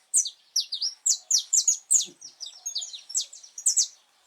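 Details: Saffron finch singing in the wild on 8 November 2024, a cold, rainy day: a steady, fast series of loud, high, sharp chirps, roughly three to four per second.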